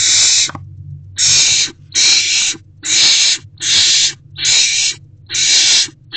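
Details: Nest box owls on 16 March 2024 at 8:26 pm, during delivery of a mouse. Seven evenly spaced, harsh, hissing screeches, each roughly half a second long, with brief silences between them over a faint low hum.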